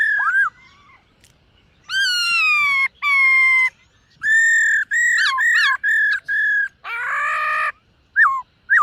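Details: Morning voice-training song of a silver-eared laughingthrush: loud, rich whistled phrases with strong overtones, some long and falling, others short and looping, broken by a harsh buzzy burst and a few brief notes near the end.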